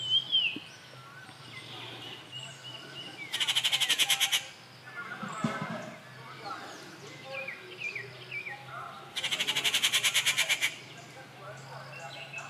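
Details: Rufous treepie at Kattupadi, 19 June 2021, gives two loud grating rattles several seconds apart, each a quick string of harsh pulses, while other birds whistle and chirp softly in between.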